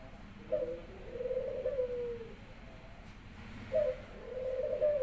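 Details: Caged Barbary dove at home, cooing eagerly to welcome its owner after work. Two coos, each made of a short upward note and a long, trilled, low tone that slowly falls away.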